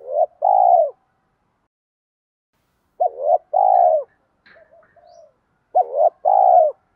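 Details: Spotted dove with a 'giọng đồng' voice, cooing to lure wild birds. Three low two-part coo phrases, a short wobbling note followed by a sustained coo, separated by pauses. Faint soft murmurs lie between them.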